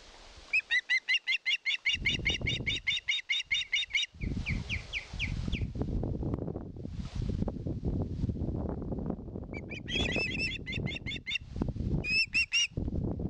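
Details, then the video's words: Osprey nest in Satakunta, Finland, 2022, with a bird begging for fish: a long run of rapid, shrill piping notes, then buzzy slurred calls, heavy rumbling and rustling, and later short bursts of piping again. "GIVE ME FISH."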